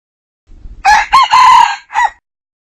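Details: Crow of a male red junglefowl, 2019 decoy recording used for hunting; faint low clucking precedes a loud ringing cock-a-doodle in three bursts, a sustained middle phrase, then a brief downward-bending final note, with no other sounds.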